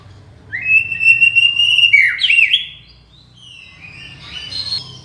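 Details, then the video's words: White-rumped shama master recording for training and attracting birds: a long clear sustained whistle breaking into a fast twisting warble, then softer scattered high notes, with a low steady hum beneath. "MURAI BATU (mp3) suara masteran & memikat"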